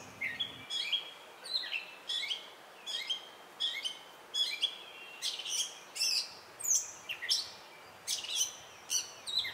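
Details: Gray Catbird in Virginia singing a rambling string of short, squeaky, scratchy high phrases, each different, about one and a half per second, over a faint steady hiss.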